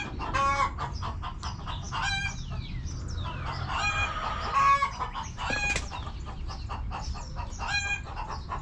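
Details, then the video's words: Chickens in a backyard coop give repeated short clucks and squawks, with brief sliding notes and a sharp burst midway, possibly wing flapping. "Back Yard Chickens Continuous Footage! Rooster Crowing! Hens Clucking!"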